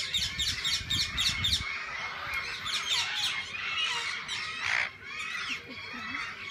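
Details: Many parakeets in a walk-in aviary at a parrot zoo, where they can be fed and held: a busy chorus of harsh squawks and quick rising-falling chirps, nonstop and overlapping, with low rumbling noise early on.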